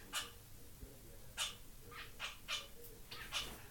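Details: Pair of Society finches, white fawn pied male and white chocolate pied female, settling into a new flight cage indoors; six sharp, buzzy chirps arrive in loose succession, roughly one a second, above steady room hum.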